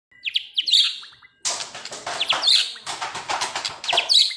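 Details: White-rumped shama singing in an agitated, excited state: a rapid, dense run of sharp whistles, chattering trills and slurred notes, with a brief pause after the opening phrase, then continuous loud varied song.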